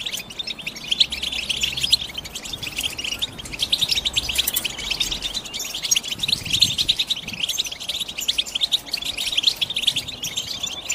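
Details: Long stretch of European goldfinch batbata song: steady, rapid, high twittering and fine buzzy trills, somewhat softer, over constant low background noise.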